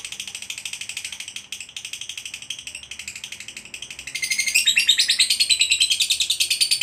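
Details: A fighter lovebird bred for song contests trills steadily in quick even pulses, then grows louder and harsher halfway through as the ngekek panjang trill intensifies and continues to the end.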